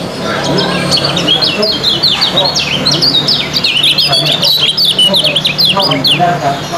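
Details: Lemon-bellied white-eye at a bird-song competition pouring out rapid ciak chirps, steady high twittering zigzags throughout with a low hum of background voices.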